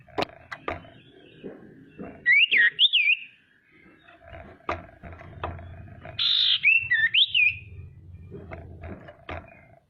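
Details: Common iora female calling to excite rivals: two separate whistled phrases that rise and fall, sounded several seconds apart, among clicks, knocks and low background rumble.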